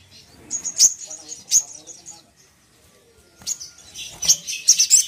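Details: Sharp, piercing crimson sunbird chips and trills come in separate bursts, one near the start, one at about one and a half seconds, and a dense run at the end. The song is played to enrage another sunbird, with faint low sounds between bursts.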